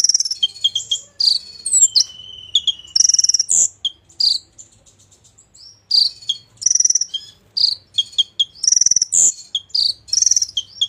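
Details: Golden-fronted leafbird singing a varied mimicry-rich song, with high whistles, fast chattering runs and buzzy trills in rapid, irregular phrases, a brief quieter gap near the middle.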